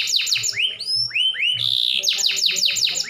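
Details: Canary song meant to make other canaries join in: rising whistled upslurs, a brief buzzy roll, then quick repeated downslurred chirps, loud and high-pitched.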